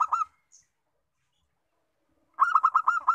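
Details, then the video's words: Local zebra dove: a brief coo, a pause of silence, then a fast rolling series of pulsed cooing notes. "PERKUTUT LOKAL, BUAT MEMANCUNG BUNYI"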